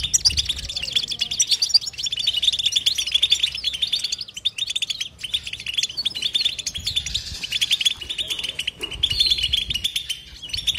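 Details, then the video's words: European goldfinch in long nonstop batbata chatter: rapid tinkling twitters and buzzy trills pour out continuously with only tiny breaks. The song stays bright and high throughout. "بتبته حسون لا صمت"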